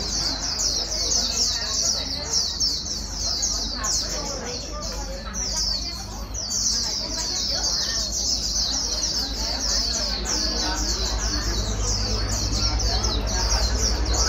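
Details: Long run of fast líu warbling from a newly caught white-eye being stimulated to sing: high, tightly packed chirps continue throughout, accompanied by low rumble and faint voices.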